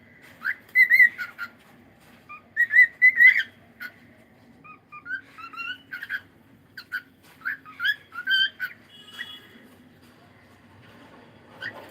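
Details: Cockatiel singing in the morning, a busy string of whistled chirps and warbled notes, rising and falling, in quick bursts then a pause, with faint hum behind.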